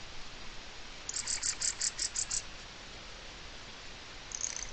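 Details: A mistle thrush alarm rattle from 04-05-23: one steady run of about eight evenly spaced dry clicks, followed by a faint brief rattle at the end.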